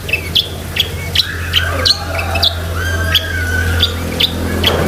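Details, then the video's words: Long-tailed shrike in lively filler-rich song for training pet shrikes; harsh squawky notes alternate with short high chips and a few drawn-out mid-pitched whistles, a low hum running throughout. "BURUNG CENDET GACOR ISIAN SEKEBUN"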